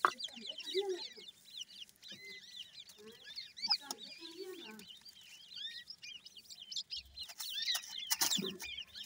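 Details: Grey francolin chicks in a busy chorus of high, thin, arching peeps, with occasional low soft clucking notes and a burst of rustling noise toward the end.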